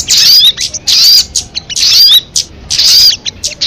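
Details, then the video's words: Lure MP3 of the sogon, the crested jay: four strong, buzzy, rattling bursts with thin rising whistle notes inside, evenly spaced about every three quarters of a second. "Suara MP3 burung sogon kamade"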